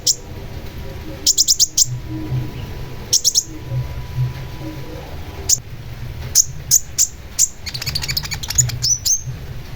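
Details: Long-tailed shrike singing in full voice for bird training: bursts of sharp, very high chirps, some quickly repeated in rows of four or five, separated by short pauses, with a low background hum throughout.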